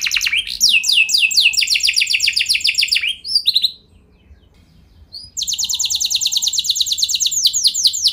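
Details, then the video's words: A canary's lure song, played to get other canaries rolling long: three seconds of dense falling trills and slurred notes, about two seconds of quiet, then an even, rapid roll resumes. "Pancingan Burung Kenari Nembak Mantap! Buat Kenari Lain Pasti Langsung Ikut Gacor Ngeroll Panjang"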